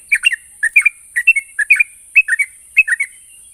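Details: Song of the yellow-vented bulbul, used to coax quiet birds into answering: lively clusters of bubbly two- and three-note chirps, repeated about twice a second, over a steady high-pitched hiss.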